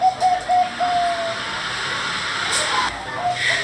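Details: Bangkok-type zebra dove (perkutut) singing: a short run of level cooing notes, then a pause filled with steady background hiss and a faint higher note near the end.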